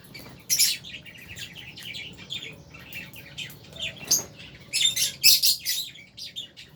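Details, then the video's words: Caged lovebirds, albino and Fisher's, chattering with rapid shrill chirps that come in clustered bursts, several loud pulsed chirps late on, softer twitters between them. "Lovebirds Chirping Sounds"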